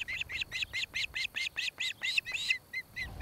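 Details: Osprey at a nest-cam site in Charlo, Montana, 26 July 2018 around 5 pm, where a pair nests near a Great Horned Owl family: a rapid run of about sixteen sharp, high, piping chirps, roughly five per second, softening toward the end.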